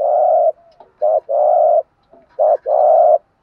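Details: Male and female spotted doves giving their coo to stimulate a trained bird; a long steady coo, then two pairs of clipped note plus drawn-out hollow coo, clean and close.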